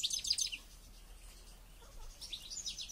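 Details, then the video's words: A single European goldfinch, kept and trained by its owner for a local goldfinch championship, gives two short bursts of high, fast twittering chirps, one at the start and one near the end, separated by a quiet pause. "Goldfinch trainning"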